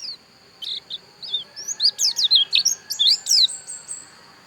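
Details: Pleci dakun white-eye in Pupuan, Bali, singing a lively run of high, sharp, rapidly alternating chirps and slurred twitters, about three notes per second, growing denser midway, over a steady faint high background tone.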